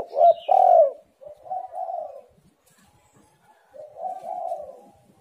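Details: Spotted dove calling, used as a lure for reluctant birds; a loud short coo and longer coo, softer cooing phrase, a pause, then another low mellow coo.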